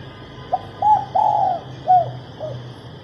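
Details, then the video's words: Cooing female spotted dove, used to get males singing: a short note, a longer note, then a long rolling coo followed by two short descending coos, with a steady faint high hum in the background. "Cu mái gáy kích bổi nhanh nổi, kích trống gù khách"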